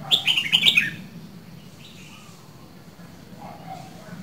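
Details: Red-whiskered bulbul from Dak Lak, Vietnam, two seasons old, opening with a single rapid bộng phrase of bubbly whistled notes, followed by a few seconds of faint background sounds.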